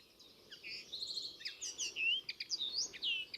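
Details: Common linnet (Linaria cannabina), a countryside bird seen in large winter flocks, gives its lively twittering song: quick, varied chirps, short trills and bright upslurred whistles tumbling along between about two and eight kilohertz, over soft background hiss.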